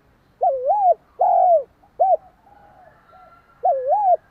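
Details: Rapid provoking coos of a spotted dove used as a decoy to stir another dove: one full three-note phrase of a bending coo, a drawn-out coo and a short note, a faint soft whistle, then a fresh phrase beginning.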